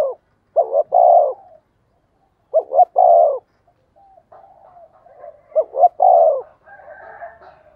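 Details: Spotted dove used as a decoy, calling: three coo phrases, each two short notes and a long falling coo, about two seconds apart, with quiet low grumbling and faint higher chatter between.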